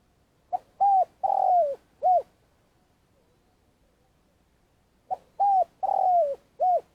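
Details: Spotted dove used as a trapping lure in Vietnam, giving long calling: two phrases of four coos, a short note, two level hoots and a long falling coo then a final hoot, separated by a pause of about three seconds.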